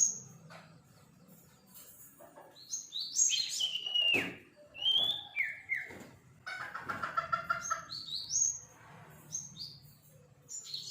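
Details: Young sirpu bird learning to sing: loud, varied whistles, some sliding down from high pitch, others flat, mixed with buzzy mid-pitched notes, given in irregular bursts with short gaps.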